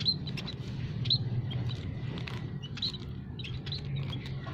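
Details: Munia flock kept in an aviary, used as a lure for trapping: rapid overlapping high twitters and chirps in quick succession, over a continuous low hum.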